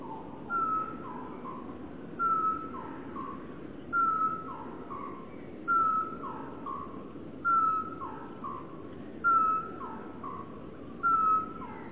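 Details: Great tit male in early spring sunshine, 25 February 2014, proclaiming his presence with song: seven repeats of a clear, sharp whistle dropping to two mellower lower notes, evenly spaced roughly every 1.7 seconds, with constant low rumble behind.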